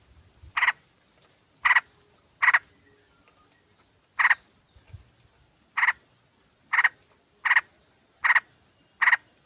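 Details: Female sooty-headed bulbul calling a male, used as a lure recording: single harsh, buzzy bursts spaced irregularly, roughly one a second, with brief quiet gaps between.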